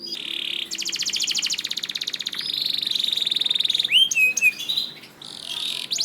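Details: Canary singing from a master recording for training other canaries: a buzzy opening, then a long fast rattling trill lasting several seconds, ending in looping whistled slurs.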